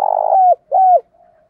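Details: Spotted dove decoy calling and challenging in the voice of a wild dove, used to attract wild doves: a long, throaty, slightly rough coo followed by a smoother, sliding second coo, then a faint trailing murmur.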